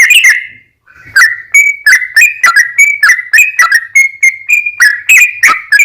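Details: Sooty-headed bulbul lure song: after a short opening burst and a silent gap, rapid whistled notes follow at a steady pace, each short and sliding, alternating slightly higher and lower.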